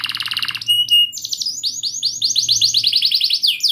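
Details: Canary singing a long rolling song, used to coax a silent canary and teach a young one: a rapid buzzy trill, then sharp high notes and a fast run of repeated downward-sweeping whistles.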